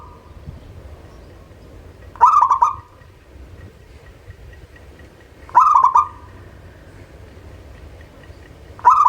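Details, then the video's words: Local zebra dove song used to stimulate birds that are slow to sing: short bubbling trilled coo phrases repeated about every three seconds over a low background hiss and hum. "SUARA Pancingan Burung Perkutut LOKAL"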